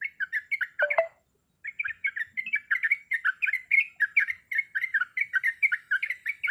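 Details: A sooty-headed bulbul female in breeding condition calls the male. Quick warbled notes are interrupted at one second by a sharp dropping sound and a brief silence. Then a long rapid series of bubbly chirps follows.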